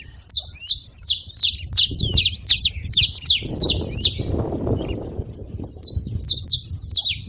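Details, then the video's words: Saffron finch giving a rapid series of bright, descending chirps, roughly three each second, steady for several seconds, over soft low background noise. "Canário da terra fazendo barulho"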